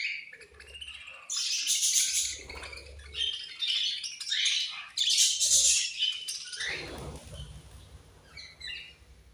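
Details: Budgerigars chatter while eating: raspy high chirps swell into loud overlapping bursts, then fade to softer scattered notes with low rustling.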